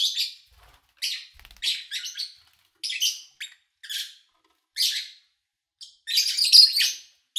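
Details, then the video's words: Lovebird chirping captured in early August 2019 during quiet daytime hours: scratchy, buzzy chirps in irregular groups, ending in a dense burst of overlapping calls. "Sounds of Lovebird Chirping"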